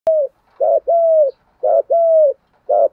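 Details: Spotted dove in the rustic giọng thổ voice, calling to provoke rivals as a decoy: steady alternating pattern of a clear sustained coo followed by a short rough burst, repeated three times with brief pauses.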